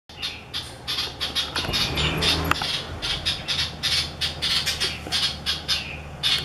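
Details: Light-vented bulbul on the morning of 28 December 2017, calling urgently for no known reason: harsh, scratchy calls in rapid succession, several each second, over a low engine-like hum.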